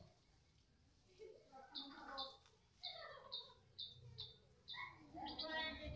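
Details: White-rumped shama of the Medan type in the afternoon: a series of short, high, ringing notes repeated at uneven intervals among lower chirps and whistles, set against a noisy, rumbling background.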